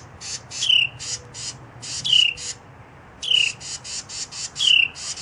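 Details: Carolina wrens scold a chipmunk to drive it from their nest in a canoe: harsh, buzzy chatters in bursts of a few notes, with a thin, high, falling whistle about every one to two seconds.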